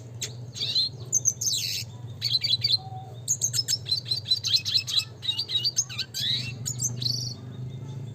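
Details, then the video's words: Classic red siskin (Spinus cucullatus) singing continuously in a rolling style: dense, high twittering phrases of buzzy chirps and quick trills, nearly unbroken for eight seconds, over a low steady hum. "pancingan suara kicau burung red siskin klasik gacor nembak ngeroll (spinus cucullatus)"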